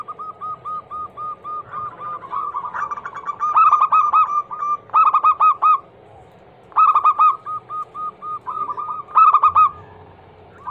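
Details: Zebra dove, local Indonesian kind, described as a female calling the male, used as a lure to start other doves singing: dense rapid coos with repeated loud stuttering bursts, strongest between three and ten seconds.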